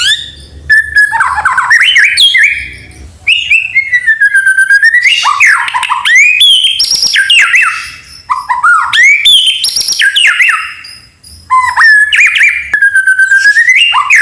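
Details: Extended song of a white-rumped shama of the Medan type, meant to prompt spotted young birds to sing: loud whistled phrases with swooping slurs, high sweeps and rough chattering notes, repeated in bursts with short pauses.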